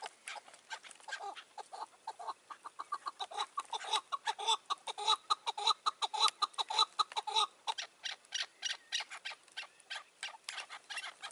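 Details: Chukar partridge calling in May 2024 during a decoy hunt from a roof, with wild mature partridges nearby: a rhythmic chuck-chuck series that builds in pace and loudness, about two notes per second, then fades, in a quiet setting.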